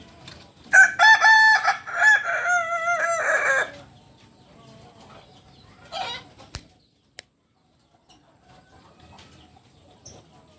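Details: Original Kukuak Balenggek chicken, biriang kuniang variety, from Solok in West Sumatra, giving a three-second crow of choppy, tiered harmonic syllables that rise and fall in steps, followed by a short rustle, a sharp click and near silence.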